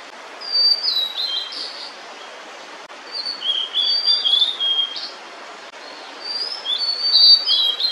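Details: Female blue-and-white flycatcher singing with food held in her bill, lingering near her chicks' nest. Three high, clear whistled phrases of slurred notes, each about two seconds long, separated by short pauses.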